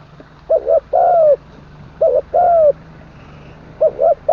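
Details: Spotted dove decoy bird in training, crowing full-voiced with a kuk ending; two and a half phrases of stuttered then prolonged sliding coos, set against a continuous low mechanical hum.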